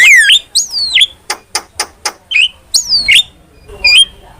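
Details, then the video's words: Starling song used as a lure and master recording for training: whistled notes sliding down from high pitch, interleaved with short sharp clicks and chattering bursts, loud and close. "PANCINGAN DAN MASTERAN BURUNG JALAK"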